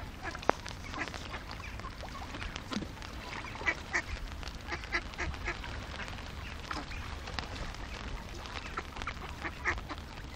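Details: A hungry flock of about fifty ducks gives a continuous jumble of quacks, short sharp calls scattered throughout over low background rumble.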